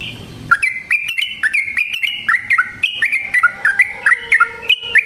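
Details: After a soft low rumble, a sooty-headed bulbul breaks into a fast, rolling chatter of crisp, slurred notes, a fighting song used to lure trapped birds and stir caged ones to sing.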